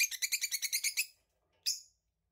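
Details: A pair of lovebirds calling close up: a fast run of about ten high, sharp chirps over one second, then a pause and a single harsh squawk.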